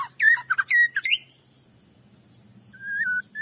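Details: White-rumped shama song played to provoke another shama into singing: a fast run of varied sweeping whistles, then a pause and a long, even, slightly wavering whistle, over a low hum.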